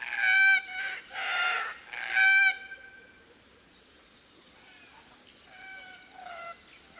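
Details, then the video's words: Plaintive, creaky squawks of Red-tailed Black Cockatoos in woodland of the Atherton Tablelands, Queensland, northern Australia; three long harsh calls in quick succession, then fainter distant squawks answering later. "Red-tailed Black Cockatoo Calls & Sounds"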